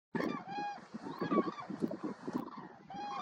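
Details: Common cranes, a flock flying at sunset on 29 September 2021 over the Hrodzenskaya Svislach nature reserve, Berastavica district, Hrodna region, western Belarus: overlapping loud trumpeting calls over a steady rushing background.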